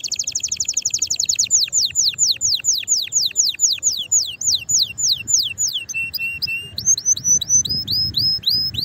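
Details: Canary singing strongly to get other canaries singing: a fast trill slowing into repeated descending whistles, then a held flat note and a string of short upslurred chirps.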